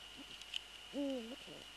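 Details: Eurasian eagle-owl, nest recording of 3 February 2014, prey transfer then male on nest: a single sustained, slightly dipping tonal call with rich overtones, preceded by faint taps, over a thin constant whine.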